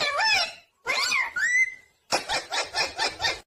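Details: Pet talking parrot uttering a wavering, speech-like phrase, then a rising whistle, then a run of six quick harsh repeated syllables.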